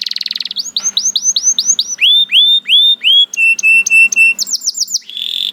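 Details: Canary song mixing a quick trill, a series of upswept whistles, slower drawn-out rising whistles, flat repeated notes, and a short run of rapid chirps.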